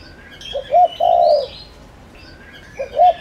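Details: Spotted dove decoy calling to draw wild doves, one full phrase of a short coo, a bright double note and a long level croo, then the start of the next, over faint birdsong.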